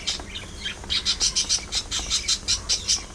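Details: Budgies chirp in bright, rapid squeaky pulses, about five a second, over a steady background of softer warbling.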